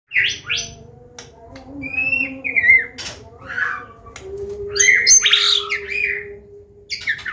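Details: Caged white-rumped shama of the Medan type, singing a combination song used to teach young birds and prompt them to sing: varied whistled phrases, rising and falling, with short sharp notes between pauses; a steady low hum runs underneath.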